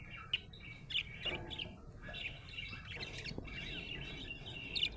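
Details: Budgerigar in a happy mood chattering: sharp clicky chirps early on, then a continuous stream of buzzy warbling notes with squeaks at the close.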